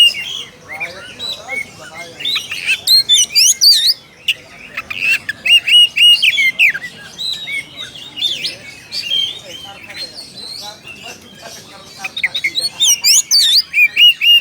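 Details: Oriental magpie-robin calling a rival, singing long stretches of varied whistles and chattering notes, loud bursts alternating with quieter passages.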